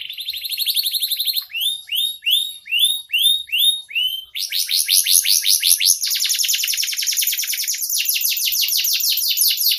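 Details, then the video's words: A canary sings a clear, loud song of fast rolling trills, then a run of upswept whistled notes about twice a second, then dense high buzzy trills; no other sounds. "Masteran kenari super mewah. Suara Jernih"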